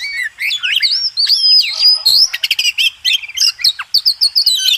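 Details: Master song of a White-rumped shama (kacer) for training contest birds: fast, varied warbling with looping whistles, sharp clicks and rapid chattered notes delivered almost without pause.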